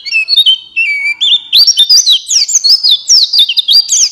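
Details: White-eye (buxtoni) singing as a prompt for other white-eyes: opens with level whistled tones stepping downward, then breaks into a rapid stream of high, sharply bent chirps.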